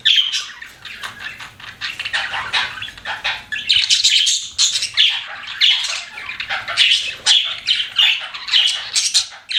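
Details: Several pet budgerigars chirp continuously, a dense chatter of scratchy, rapid chirps and warbles with frequent sharp accents through the whole stretch, no other clear sounds.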